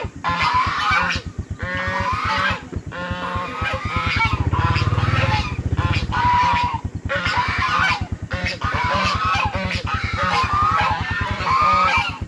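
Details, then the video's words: Goose screaming in fright, loud honks in clustered bursts broken by short pauses, some cries wavering and strained; a motor drones underneath, swelling in the middle. "Bunyi angsa menjerit ketakutan"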